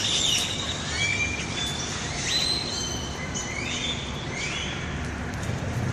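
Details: Many unidentified birds calling loudly in trees at the Riverwalk in San Antonio, Texas: overlapping thin whistles and rising, sliding squeals over a constant wash of chatter and steady traffic rumble.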